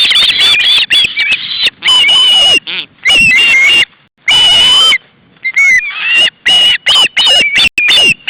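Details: August 2012 at an osprey nest, hungry juveniles begging as the male brings fish: long bouts of shrill squealing alternate with silent pauses and a few downslurred, sharper notes.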